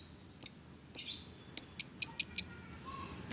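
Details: Lovebird chirping: sharp, shrill high-pitched chirps, first spaced out, then seven in quick succession, with a faint low whistle near the end.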